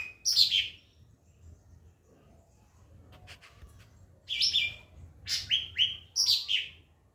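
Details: White-rumped shama song for masteran, training recordings for other birds: a sharp descending note, a gap with faint clicks, then a burst of several loud, slurred high phrases falling in pitch.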